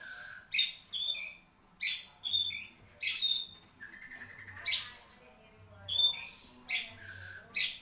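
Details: Caged long-tailed shrike, Marlboro type, delivers a varied irregular song of harsh buzzy bursts, sharp high whistles and lower drawn notes, with short pauses and a faint hum behind.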